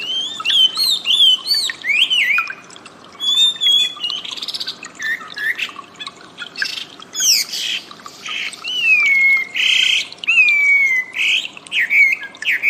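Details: Wambi singing, recorded as training audio for cage birds: varied whistled phrases, some rising and others sharply falling, mixed with buzzy chatter and short scratchy notes across the whole stretch.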